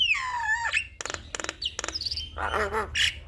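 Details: Javan myna tutor song: a long wavering descending whistle, then loud harsh rasping bursts in quick succession and a nasal harmonic squawk near the end.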